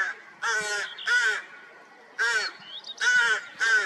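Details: Rooks with fresh chicks in the nest, 16 May 2023, cold spring: paired harsh rasping caws, two together, a pause, then three more, each hoarse with bending harmonics, close and loud.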